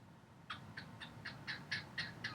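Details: A male cockatiel sings to a wall indoors, a female sitting nearby, in quick, raspy chirps repeated about four times a second over a low indoor hum.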